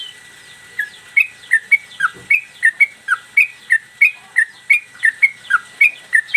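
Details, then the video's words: Caged yellow-vented bulbul giving a persistent mbandul Garuda song with tail flicking, intended as master audio for cage birds: rapid, evenly spaced whistled notes alternating upward and downward inflections, a soft thump early on. "Trucukan gacor mbandul satu lagu main ekor dan Garuda cocok buat masteran"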